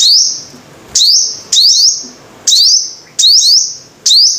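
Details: High, piercing sunbird phrases from a five-coloured sunbird. Each opens with a quick rising slur and holds a thin whistle, repeated about every half second to second. The background is quiet.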